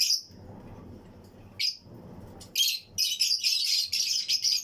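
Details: Lovebird aviary colony of Fischer's and Lutino pairs: two isolated piercing squeaks separated by low murmur, then a sustained stretch of rapid, harsh, high-pitched chattering chirps.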